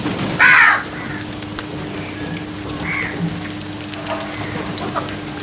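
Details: Single loud, harsh crow caw at early morning, followed by fainter distant calls and a steady low hum.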